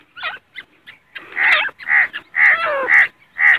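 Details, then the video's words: Grey francolin call in Pakistan. Soft short notes build into loud, hoarse, strident calls repeated rapidly about twice a second, with a sliding voiced sound among them. "Teetar ki boli | teetar voice | Gray francolin | teetar ki awaz"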